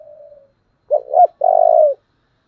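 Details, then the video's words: Spotted dove voicing the strong 'giọng thổ' song used as a model for decoy birds. A soft fading coo, then a sharp doubled note and a long, rich, slightly rising-then-falling coo. "cu gáy giọng thổ Thúc rất căng"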